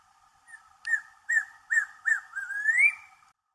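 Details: Watkins's Antpitta at Urraca Lodge, calling loudly from a tree after running about on the ground: a series of four clear whistled notes, each rising slightly, leading into a longer note that climbs steadily before stopping.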